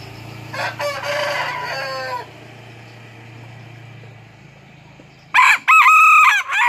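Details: Serama junglefowl rooster crowing in the morning, out of its cage and perched on a hand; a harmonic, drawn-out crow with a stuttering start, then a second loud crow begins near the end over a low background hum.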